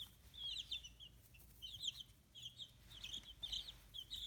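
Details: Young chickens fifteen days old, their feathers starting to grow, raised free-range in Kitahiroshima, Hiroshima Prefecture, Japan. Clusters of shrill peeps come in quick bunches about every half second, separated by short gaps.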